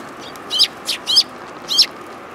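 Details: Eurasian tree sparrows coming for food at a Tenmangu shrine on 19 January 2022 give four sharp, bright chirps in quick irregular succession over faint low hum.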